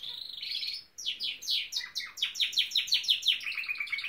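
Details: A male pet Norwich canary sings a high, rapid string of descending whistled sweeps that settles into quick, evenly repeated trilled notes, nearly three per second.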